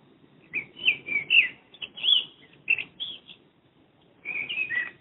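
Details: Madrid blackbird near a home, captured through a window: a varied string of whistled and warbled notes, a brief gap, then a final mellow phrase sliding downward.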